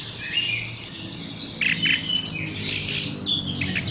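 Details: Horsfield's bush lark song made of high, scratchy bursts and buzzy chatter in uneven phrases, with brief pauses between runs.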